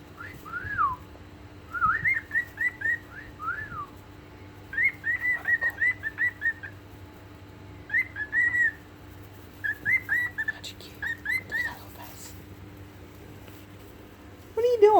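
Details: Male cockatiels singing happily in a Christmas tree, whistling in bursts of clear, arching notes, each phrase a quick run of rising and falling tones.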